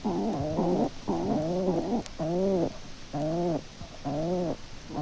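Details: Male and female feral pigeons conversing together at the nest: low, gruff, throaty coos in rounded bursts, roughly one a second, with short pauses between phrases.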